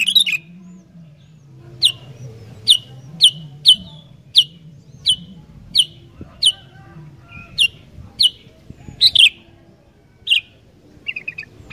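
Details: Sooty-headed bulbul singing steadily: short, bright, downslurred chirping notes repeated about once a second, some doubled, over a low steady hum.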